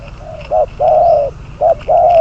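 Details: Spotted dove decoy, number 22, used for trapping. A brief coo leads into a long, even coo, and the short-long pair then repeats, loud and close.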